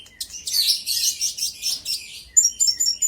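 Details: Olive-backed sunbird lure song to incite rival birds: a dense, hissing stream of high chatter, then a string of clear, sharp whistled notes repeated quickly at the end.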